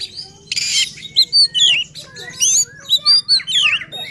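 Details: Agitated oriental magpie-robin singing intensely, its repertoire on display, a song meant to provoke rival magpie-robins; a harsh rasping burst followed by bright rising and falling whistles and twisting slurred notes, with steady low hum underneath.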